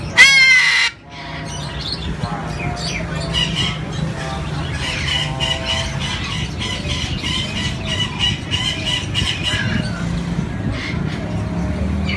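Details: A Moluccan cockatoo (Cacatua moluccensis) gives one loud, harsh, rasping screech lasting about a second, followed by a long stretch of busy background chatter, clatter and low hum.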